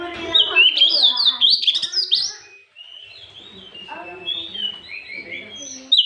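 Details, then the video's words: Afternoon lure song of an Oriental magpie-robin meant to provoke rivals: a fast burst of high, zigzagging whistled notes, then a short pause and softer sustained whistles with chattering underneath. "Pancingan Terjitu burung kacer di sore hari"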